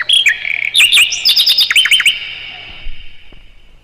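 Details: Mugimaki flycatcher song used as a tutor recording for songbirds: high whistled notes, then a quick series of sharp up-and-down chirps for about two seconds, fading into quiet.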